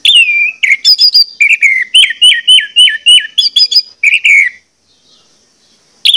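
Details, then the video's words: Orange-headed Thrush lure song meant to spur other birds into singing: a rich, fast run of varied whistled and slurred phrases, bright and high-pitched, ending in a brief pause. "pancingan anis merah ini bakalan bikin gacor jika di putarkan"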